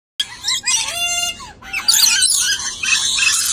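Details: A pair of dusky lories: a harsh screech opens, then a stacked, nasal, wavering call held about half a second, followed by loud buzzy rasping screeches that run to the end.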